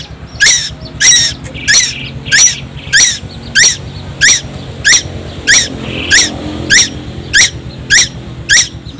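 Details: Young tuwu bird from Timor Island, said to sing constantly and loudly. Sharp, high, downward-sliding notes repeat steadily about every three-quarters of a second, thirteen in all, over a low background rumble.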